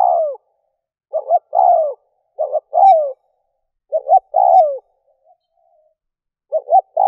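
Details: Spotted dove used as a lure for wild doves, cooing in a series of low phrases: paired short notes followed by a drawn, downward-bending coo, several in close succession and then a pause, with no background noise.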